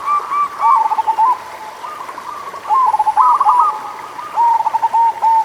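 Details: Zebra dove of the local type singing, played to lure reluctant doves into song. Three bursts of rapid, staccato cooing notes come at the start, the middle and the end, with quieter pauses between them.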